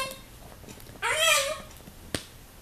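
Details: Pet severe macaw indoors checking out a visitor at the window gives one harsh, raspy squawk with layered harmonics lasting about half a second, then a single sharp click in a quiet room.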